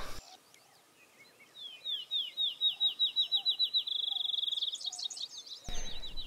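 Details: A male Field Sparrow defending his territory at dawn in calm weather, in savanna-like shrubby prairie at Crex Meadows, Wisconsin, sings sweet down-slurred whistles speeding into a fast, even bouncing-ball trill, with faint chips from other birds behind.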